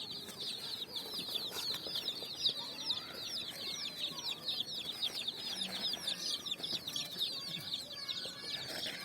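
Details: Colourful chicks running on sand while feeding at evening; a busy stream of high, falling peeps from many birds, thinning slightly toward the end, with faint tapping and rustle.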